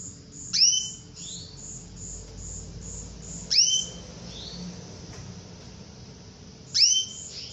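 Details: Female canary calling to provoke a male into singing: three sharp, rising whistled notes, each followed by a softer echoing note, repeated about every three seconds, with faint high rapid ticking throughout.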